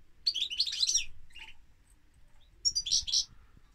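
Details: European goldfinch song in two quick, liquid twittering phrases, high and jangly, with a brief buzzy note between them and a gap before the second burst.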